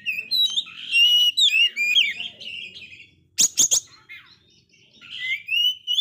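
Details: Oriental magpie-robin, a bird with failed moult, pouring out a rich, varied song of bright whistles and slurred notes, broken by a few sharp, scratchy clicks midway; used to provoke other magpie-robins.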